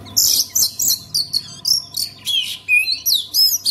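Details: Oriental magpie-robin song, played so other magpie-robins start singing: a rapid run of bright, high whistled and scratchy notes in short bursts about every quarter second, with a steady low electrical hum underneath.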